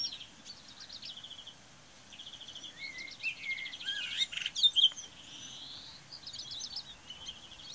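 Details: Common starling singing on an April morning, 8 April 2018, at Braziūkai in Kaunas district, Lithuania: a varied medley of high buzzy rattles, dry clicks and short slurred whistles, loudening mid-phrase, over a quiet rural background.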